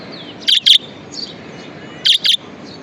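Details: Budgie kept as a pet giving two pairs of bright, piercing chirps about one and a half seconds apart, with faint twittering underneath.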